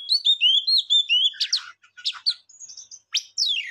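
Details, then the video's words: Songbird singing: a run of clear whistled notes wavering between high pitches, then sharp downward-sweeping chirps and buzzy bursts, with brief pauses; no other sounds. "Beautiful song bird"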